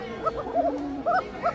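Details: Bashiraj Kokka pigeons, a domestic breed kept in a loft in Bangladesh, giving thin-voiced calls: short arched cooing notes in quick groups, several birds calling together, with a man's voice faintly in the background.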